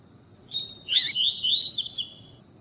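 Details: Double-collared seedeater of the tuí tuí song style, song paired with a calling female, used by breeders to train and fire up males: a sharp broadband burst, then a run of high whistled notes with rising, slurred inflections lasting about one and a half seconds.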